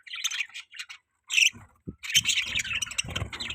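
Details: Pet budgies chirping, short bright chirps and a warbling chatter, with low scraping and rustling sounds underneath toward the end.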